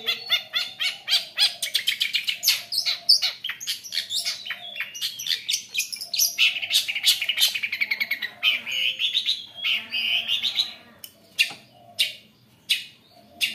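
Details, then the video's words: Long-tailed shrike lure song, meant to make less active shrikes sing: long, rich, varied run of rapid chirps, trills and whistled notes, thinning to spaced single notes at the end, over a faint low hum. "pancingan cendet kurang gacor agar bunyi"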